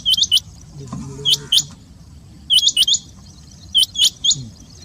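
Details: Rain quail calls used for luring quail in hunting: sharp, high, metallic whistled notes in quick pairs and triplets, repeated about every second, over a low background rumble.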